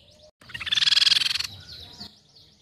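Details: Crescent-chested babbler call used as a lure: a rapid, evenly pulsed trill of about fifteen bright notes lasting under a second, with soft downslurred whistles of other birds behind.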